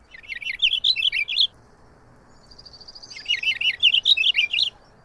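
Two brisk, smoothly rolling bursts of warbled notes from a Purple Finch, each about a second and a half long, with no harsh buzzy ending. The background is quiet.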